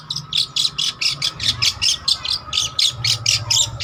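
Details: Long-tailed shrike, trotol type, in full song for use as a lure or master recording: short harsh chattering bursts repeated about twice a second in an even pulse, with a steady faint hum and tone behind.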